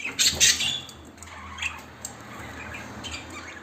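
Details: Lovebird giving a couple of shrill, harsh squawks at the start, followed by softer scattered chirps over a low indoor hum.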